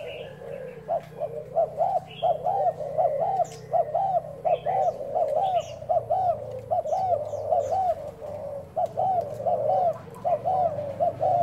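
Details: Spotted dove used as a decoy, cooing trial recorded 1 November: long, regular sequence of mellow, low double-humped coos about once per second, with sparse high bird chirps overhead.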